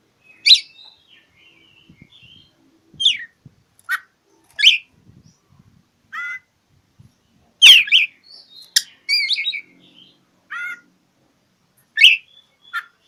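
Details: Oriental magpie-robin (kacer) rival-challenging song: irregular sharp downslurred chips and short bursts, a loud scratchy phrase near eight seconds, then chattering notes and further chips.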